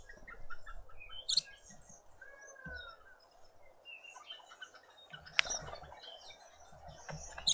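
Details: Karoo thrushes in a suburban garden in Pretoria, South Africa, give scattered sharp chips and short whistled notes, broken by a couple of loud clicks over a low background rumble.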